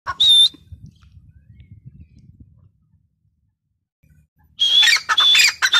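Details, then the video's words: Female grey francolin calling: a loud, harsh, high squealing note at the start, then a burst of rapid grating, squeaky notes near the end, with low rumbling noise in between. "gray francolin teetar sound female teetar sound"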